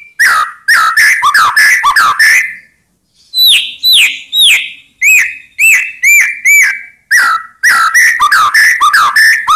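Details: White-rumped shama song played to provoke rival birds into answering: loud rapid whistled phrases, chirps and downslurred notes in quick bursts, then a series of clear upslurred whistles, then more rapid chattering phrases.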